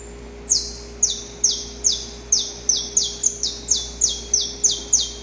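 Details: Saffron finch in nature delivering a quick series of high, piercing downslurred notes, speeding up to about three or four per second after a brief opening note, over a soft continuous low hum.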